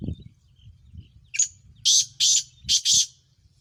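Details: Black francolin of Sindh, a Sheedi Chiringa cross, calling with four loud, rasping, noisy bursts in quick succession after a short squeak, over low thumping handling sounds.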